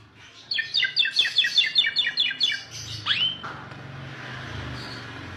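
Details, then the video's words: Asian pied starling singing: a quick run of about a dozen harsh, chattering notes repeated rapidly, then one loud rising-and-falling whistled slur, with a low rumble underneath. "KICAU JALAK SUREN MANTUL"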